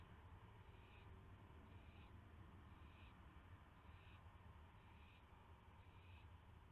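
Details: On the night of May 9, 2016, an owl takes a mouse on a live camera and gives soft rasping hisses, about six spaced bursts, partly masked by a steady low rumble.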